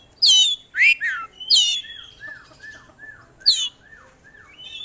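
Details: Chattering kacer, an oriental magpie-robin, unloading its phrase repertoire: loud harsh sweeping bursts alternate with a series of clear downslurred whistles repeated about twice a second.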